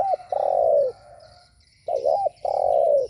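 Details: Spotted dove giving cooing calls used to lure and provoke rival doves: two phrases, each a quick wavering double note then a long steady low coo, separated by about a second of quiet.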